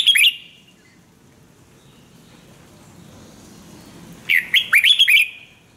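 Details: A Red-whiskered bulbul sings for song training. It begins with a brief loud note, then a pause of about four seconds, then a phrase of six quick, rising, clear whistles.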